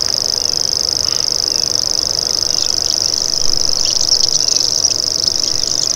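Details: Common grasshopper warbler reeling without pause, a sustained high buzzing trill of rapid pulses; brief thin chirps of other birds appear near the end.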